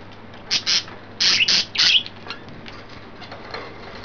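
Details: Three excited, playful pet budgerigars indoors; a run of loud harsh squawking chirps packed into about two seconds, then quieter faint chatter and room hum.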